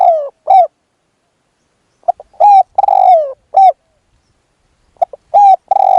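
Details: Spotted dove kept as a decoy to attract a wild dove, repeating mellow cooing phrases: quick short notes lead into a drawn-out coo that slides downward, with brief silences between phrases.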